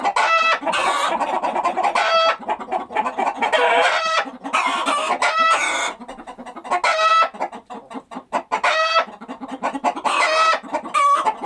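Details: Several farm chickens clucking busily, with dense overlapping clucks and frequent drawn-out, nasal cackles rising above them throughout.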